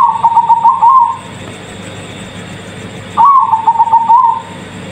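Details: Cooing zebra dove of the Bangkok strain delivers two similar rolling phrases about two seconds apart, each a rapid series of soft, pulsing, slightly rising and falling notes ending in a short trill.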